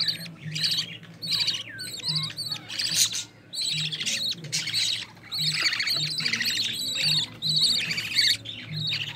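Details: Budgerigar chicks of a green-line pair, one carrying opaline, begging in the nest as their mother feeds them: dense raspy, buzzy chirps repeated rapidly and irregularly, with a low steady hum underneath.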